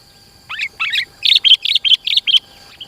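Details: Sooty-headed bulbul, a lure recording to bring rivals closer and tutor kept birds: two soft opening notes followed by a run of six rapid, evenly spaced bright chirps.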